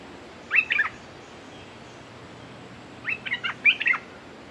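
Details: Red-whiskered bulbul used as a decoy to lure a clever territorial wild bird; a brief cluster of bubbly chirps at first, a pause, then two more rapid, bright warbling bursts, with quiet background hiss.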